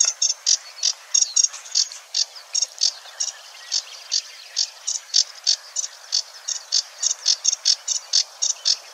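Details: Sedge Warbler singing at Wetering West, Wetering, Overijssel, in May 2022, a fine mimic: high chattering notes repeated about four times a second, mostly steady with slight changes in pitch and spacing, against quiet background.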